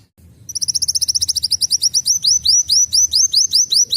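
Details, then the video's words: Van Hasselt's Sunbird singing canary-like phrases, used as tutor song for young birds: after a short quiet start, rapid high sharp notes repeat, shifting to rising upslurred chips about four per second, with a faint low hum beneath. "MASTERAN KOLIBRI WULUNG NAMBAK KENARI UNTUK BURUNG BAKALAN"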